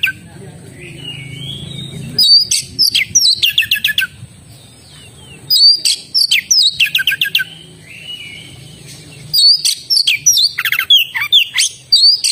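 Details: Oriental magpie-robin giving a lively song: soft rising whistle, then dense runs of sharp repeated chirps and ticking notes in three bursts, with quieter whistled phrases between and a steady thin background tone.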